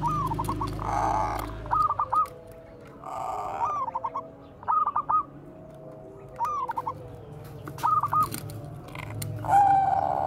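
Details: Bangkok-type zebra dove singing in the bekur koar-koar style, used as a lure to draw song from other doves: several bursts of quick, hooked stuttering notes, then a drawn-out coo at the end, over a low background rumble.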